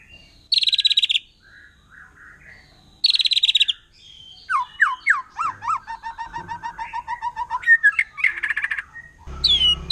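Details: Forest-dwelling wild white-rumped shama, its song said to rouse other shamas: two short high buzzy trills, then a lower run of looping whistled notes and chattering, ending in a brief noisy burst.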